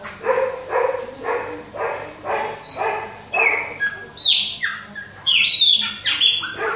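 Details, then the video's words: Bahia-type Chopi blackbird, an adult and a young bird: a run of about eight hoarse, evenly spaced harsh notes, followed by high ringing whistles that slide down in pitch. "FUMAÇA E FILHOTE PÁSSARO PRETO BAIANO COMANDA OUTONO !"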